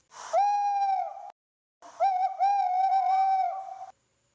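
An owl gives two drawn-out, steady hoots, the first about a second long and the second about two seconds, with a slight waver and a pause between them.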